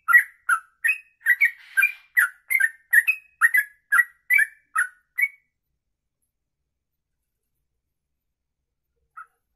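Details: Sooty-headed bulbul singing a long rapid kongslet ropelan style: quick two-part whistled chirps, each dropping then rising, about two every second for five seconds, then a long silence broken by one faint note.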